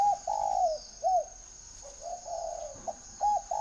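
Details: Spotted dove from a northern Vietnamese bird breeder cooing in mellow, low phrases: a long rolling coo, a short dipping note, then another drawn-out coo and two quick notes.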